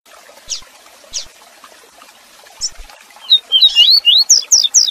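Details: Double-collared seedeater song in the "Tui Tui Zel Zel" style, used as a tutor song for training captive birds: a few faint high notes, then a quick run of bright, slurred whistles, rising and falling, about two each second.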